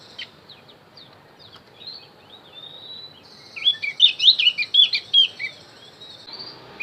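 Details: Javan grey-throated white-eye song used as a lure for wild birds. Faint scattered high tweets and a thin whistle lead into a loud, excited burst of bright, sliding chirps and warbles lasting about two seconds.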